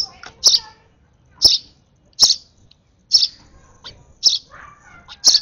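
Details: Excited sparrow nestling at feeding time utters around seven loud, high-pitched chirps in quick uneven succession, with quieter twittering notes between them.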